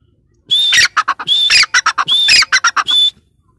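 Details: Grey francolin female, known locally as teetar, giving a loud raucous call: a steady high whistled note then a cluster of harsh clipped squawks, the phrase repeated four times in quick succession.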